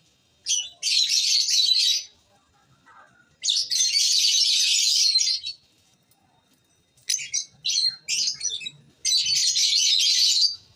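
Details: Lovebirds give loud, raspy, high chattering in long bursts of one to two seconds, broken by pauses and by a few short clipped chirps.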